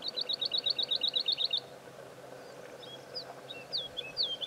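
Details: Woodlark song at Serra do Suído: a fast run of about thirteen clear, high, even notes repeated four times a second, then a pause and a few softer, scattered slurred whistles.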